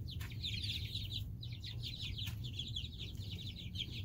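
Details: Loud chorus of domestic chicks, three groups hatched weeks apart, many birds calling at once with high piercing downslurred peeps packed into fast overlapping bursts, a few sharp clicks and low background rumble.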